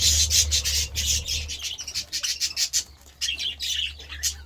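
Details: Several budgerigars in a feeding frenzy over vegetables give rapid, harsh squawks and chirps, many overlapping in quick succession, with a steady low hum underneath.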